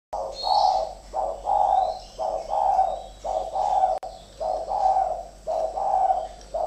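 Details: Two captive spotted doves kept as decoy birds, fighting each other: loud hoarse coos in short repeated phrases, nearly one per second, overlapping and alternating. A faint high hiss and chirps sound in the background.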